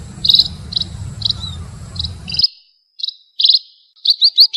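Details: Munia lure chirps, high and clipped, repeated about every half second over a low hum that cuts out abruptly, followed by cleaner chirps and a quick upward-slurred series.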